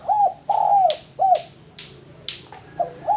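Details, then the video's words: Low mellow cooing from a male spotted dove used as a lure, short and long notes alternating, with sharp clicks or snaps in between. "Derkuku Tekukur Jantan Cocok Buat Pancingan"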